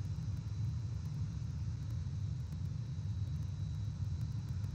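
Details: Steady low rumble of traffic or wind with no animal calls.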